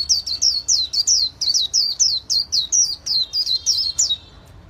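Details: Caged white-eye singing in the fanned-tail style: a fast, even run of about sixteen high, bright whistled notes, each dipping then lifting, steady and loud throughout, with a quiet low background hum.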